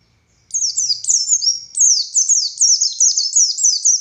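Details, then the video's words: Buxtoni Oriental white-eye song in ngalas style, starting after a brief silence with a long high downslurred note, then quick repeated shrill falling whistles at a steady, insistent pace. "Burung Pleci Buxtoni Gacor Konslet Full Tembakan Ngalas Ngotot Fighter"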